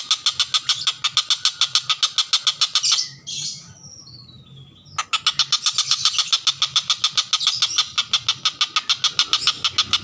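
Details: Common cicadabird singing actively, used as a tutor recording for lovebirds: a long fast series of harsh, buzzy notes repeated about three times a second, broken midway by a passing vehicle and a brief squeak, then resuming.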